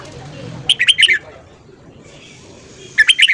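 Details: Red-whiskered bulbul giving its morning song: two bright, quick bursts of sharp whistled notes a little over two seconds apart, with quiet low background murmur between them.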